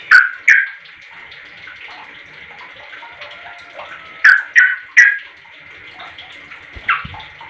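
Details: Calls from a sooty-headed bulbul meant to make other bulbuls reply: a pair of sharp chirps, then a run of three loud chirps and a later single note, over soft scattered calls and steady hum.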